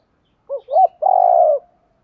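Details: Single phrase from a spotted dove, played to lure wild doves: a short hooted note, a quick rising-falling note, then one drawn-out, even coo lasting about half a second, with clean silence around it.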